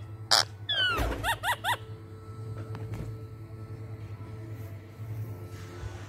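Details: Ring-necked parrot, described as a talking parrot, giving a quick burst of sharp harmonic squawks and rising-falling chirps in the first two seconds, then quiet room hum with a faint click.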